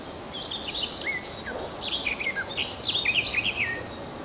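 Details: Two-day-old Redwing chicks in their nest in Kalinovsky forest park, Yekaterinburg, on 23 June 2020, beg with a steady chorus of thin, high, squeaky chirps, several overlapping at a rapid pace, over a soft background hiss.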